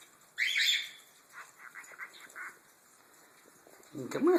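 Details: A pet cockatiel talks to sibling chicks from another clutch. It gives a bright screech, then a run of short repeated chirps imitating a cricket. Its parents chirp in the background.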